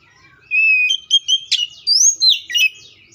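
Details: Oriental magpie-robin sings a short phrase: a held whistle, then a series of sliding notes and a sharp, high, ringing upslur, all loud and clear.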